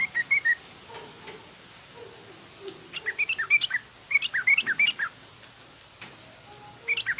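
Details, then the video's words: Yellow-vented bulbul singing garuda-style and rough ngriwik phrases meant for teaching young birds: short separate bursts of fast, sharp chirps and twisting whistles with quiet gaps between, some faint lower notes in the background. "suara burung trucukan garuda lanjut trucukan ngriwik kasar ini pas tuk terapi trucuk muda ajar bunyi"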